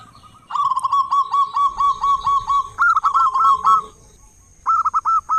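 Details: Local zebra dove, a loud, vigorous singer used as a lure to get other doves singing in the morning and evening: rolling series of short, mellow cooing notes, a long run then a brief second phrase, with a faint steady high whine.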